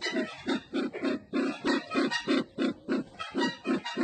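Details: Red-eyed bird from Sumatra producing a loud, rhythmic series of guttural oink-like notes, around three per second, strongly regular.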